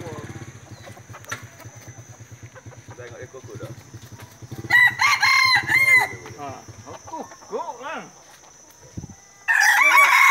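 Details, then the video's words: During a most-crows contest in Dungun, roosters crow amid human chatter: one loud held crow in the middle, soft clucks and calls after, and another crow starting at the end. "PERTANDINGAN SUARA KOKOK TERBANYAK"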